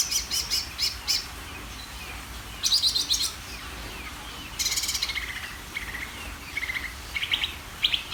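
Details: A greater green leafbird sings vigorously. Bright, high chattering bursts alternate with short descending whistled slurs and scattered sharp notes. The phrases are separated by brief quiet gaps, over a faint low background rumble.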